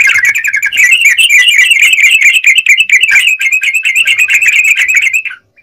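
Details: Yellow-vented bulbul in sustained gacor song, a fast, relentless run of bright chirps and trills at an even pitch, stopping just before the end.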